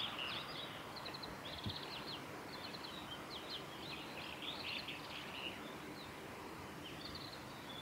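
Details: Japanese white-eyes in blossoming cherry trees at Suga Shrine, 23 February 2019: dense runs of high, rapid twittering notes in overlapping bursts against a continuous hiss.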